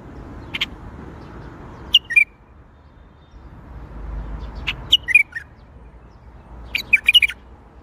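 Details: Bulbul performing the Baghdadi song style. A single clear note leads into brief warbled phrases of quick liquid chirps, repeated about every three seconds, over a soft room hum.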